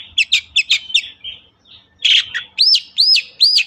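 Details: Long-tailed shrike singing loudly, a lure recording meant to provoke idle shrikes in Indonesia to sing: quick, chattering, scratchy notes, a short pause, then three clear, arched, whistled notes.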